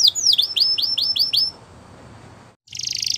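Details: Belgian canary training song: a short run of six quick descending whistled sweeps, then a pause and a brief buzzy trill.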